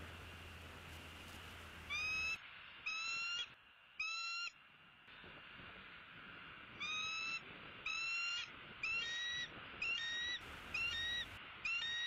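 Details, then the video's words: Male bald eagle in Southwest Florida, 4 January 2016 late morning, calling while defending territory against a raptor: a long series of high, thin, slightly rising whistled notes with stacked harmonics, roughly one per second, some rapid stuttered chatter. "M15 defends his territory and chased a raptor"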